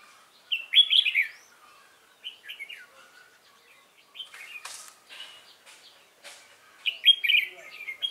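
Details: Competition fighting song from a newly caught wild Red-whiskered bulbul, 22 October 2018: loud, lively whistled flourishes at the start, middle and end, with sharp clicking knocks in between.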